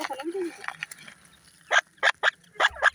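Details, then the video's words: Grey francolin chicks at play give a quick run of short, sharp peeps, about five in just over a second, after a quieter stretch of soft scattered sounds. "dakhni teetar chicks ki masti"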